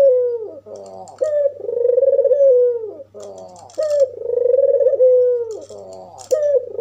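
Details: White albino African collared dove with red eyes, its call used to provoke other doves: long, rolling mid-pitched coos alternating with harsh, buzzy stuttered notes, repeating roughly every two to three seconds, with faint clicks in the background.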